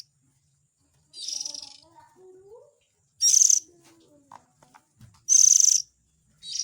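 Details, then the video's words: Raspy, hissing calls of an Oriental magpie-robin chick, used as a lure for the parent birds: three loud bursts plus one softer one. Faint thin whistling and clicking sounds occur between them. "Suara Pikat indukan burung kacer ,suara anak nya"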